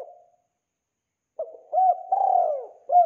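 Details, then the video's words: Tekukur, spotted dove, lure song for trapping: fading tail of a coo, a silence, then a new phrase of a short coo, a rising coo, a long descending note and another coo. "SUARA BERSIH BURUNG TEKUKUR AMPUH UNTUK PIKAT"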